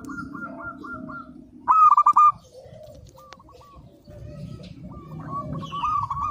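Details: Local zebra dove (perkutut), recorded as master song for training birds. One loud, quick cluster of stuttering coos stands out amid softer overlapping cooing phrases and low background rumble.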